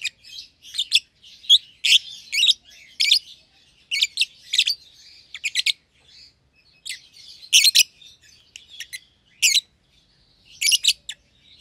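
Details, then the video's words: Pair of young lovebirds in a one-pair cage, a red-eyed albino and a euwing green opaline; lively, steady stream of shrill, buzzy chirps in quick clusters throughout. "Lovebird Chirping Sounds - Albino & Euwing Green Opaline"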